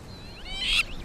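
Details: A crowned lapwing, guarding its egg from a jackal, gives a single shrill, harsh alarm note rising in intensity and cut off sharply over faint hiss. Its alarm calls warn nearby bat-eared fox cubs to go underground.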